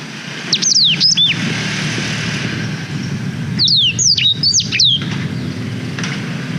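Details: Black-throated canary singing, recorded on a GoPro Hero 5 to train young canaries: two short bursts of high, thin down-slurred whistles about three seconds apart over steady low rumbling noise.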